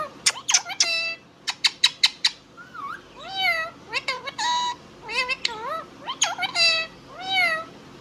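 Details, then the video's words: Indian ringneck parrot kept as a pet, talking in a rapid run of clipped high syllables and wavering harmonic word-like phrases, repeated in bursts over several seconds. "Ringneck Parrot Talking Sound video | Indian Ringneck parrot natural sound"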